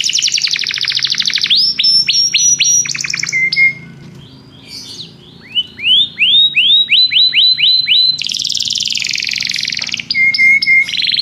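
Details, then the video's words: Belgian canary song of varied phrases: rapid trills, clipped whistles, a quieter gap, then a run of rising sliding notes repeated about four per second, a dense buzzy trill and closing steady whistles. "canário belga cantando"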